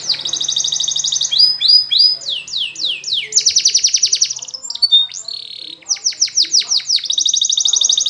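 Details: Canary singing a training song: loud, high, fast buzzing rolls alternate with runs of sharp descending slurred notes and brief whistles, changing phrase every second or so; a faint low hum lies underneath at the start.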